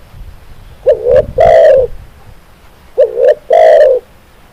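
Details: Spotted dove (tekukur) singing two coo phrases about 2.5 seconds apart, each a wavering rising note followed by a long, deep coo. Low knocking or handling thumps come under the first phrase.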